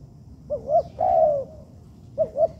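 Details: In a training yard, a young spotted dove gives a pair of short hoots, then a sustained, softly falling coo, then begins the double hoot again.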